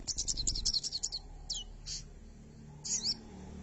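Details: Pin-striped tit-babbler, a captive bird in the process of being tamed that already sings after one day: a fast run of about ten thin, high chattering notes, then a few isolated high notes and a short final burst over low background hum.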